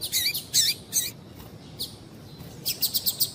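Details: A female double-collared seedeater gives calls meant to get males singing: a few bright, high chirps with downward sweeps, then a quiet gap, then a rapid string of short tweets.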